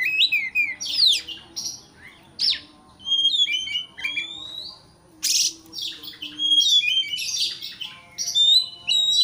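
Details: Energetic white-rumped shama song meant to rile up a rival bird, mixing fast whistled warbles, squawky notes and loud harsh bursts in quick succession.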